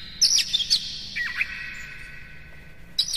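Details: Kacer, the Oriental magpie-robin, in lure song meant to raise a kacer's excitement: a few sharp high chips and short whistled slurs, then a long fading echo before another brief sharp note at the end.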